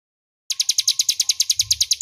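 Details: Crescent-chested warbler song, clear and loud, used as a master song for training magpie-robins: after a short silence, a fast run of bright, buzzy high chirps repeated about eight times a second, with faint low rumble underneath.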